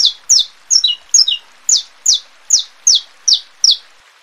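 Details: Saffron finch song meant to stimulate captive birds, condition females and tutor nestlings: a run of bright, descending chirps, several early ones doubled, then single notes repeated about every half second.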